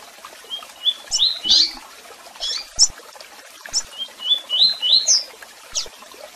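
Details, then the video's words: Double-collared seedeater, tui tui song with chirps and calls: repeated phrases of rising whistled notes, each ending in a loud sharp accent, separated by isolated high chips. "Canto de Coleiro Tui Tui Com Piado e Chamados"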